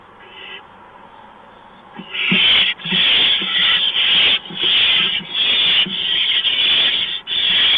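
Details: Barn owl at the nest at 4:26 AM on 6 March 2015 as a mouse is brought in: after two quiet seconds, loud harsh hissing screeches start and repeat about once a second, with short gaps between the rasping bursts.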